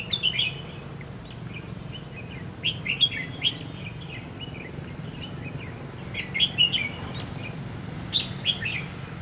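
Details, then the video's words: Red-whiskered bulbul fighting song used as a decoy in trapping, on the first day of Tet 2016 in Vietnam: repeated short warbled phrases of bright whistled notes over steady low background rumble. "Bẫy đấu chim chào mào"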